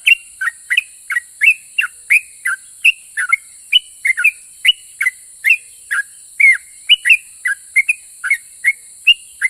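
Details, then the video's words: Vigorous 'ropel' song of a sooty-headed bulbul, said to draw answers from other bulbuls. Dense, continuous chains of short clear whistles, often paired as rising-then-falling notes, continue without pause over a constant high hiss. "KICAU SUARA trucukan gacor Ropel pajang ini RAJANYA BIKIN NYAUT trucuk lain"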